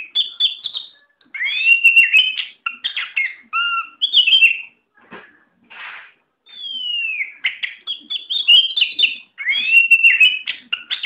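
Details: Contest-ready caged white-rumped shama delivering a long, varied song: rich whistles swooping up and down, buzzy notes and quick chattering runs, broken by a few brief pauses and soft clicks.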